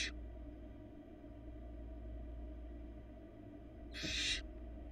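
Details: Florida barn owl chick in its nest, 2022, eating little pieces by itself. A long quiet stretch of low hum, then one loud, breathy screech near the end, with the tail of another at the very start.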